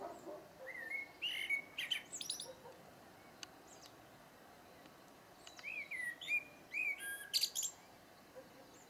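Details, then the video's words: Blackbird singing: mellow fluted warbles, each followed by a thin, high-pitched twittering tail, in two phrases separated by a few seconds of near silence. "chant du merle"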